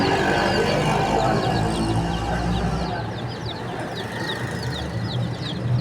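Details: Many chicks for sale in a bird market in Pakistan chirp at once in rapid, overlapping high peeps, over a steady low rumble of market noise.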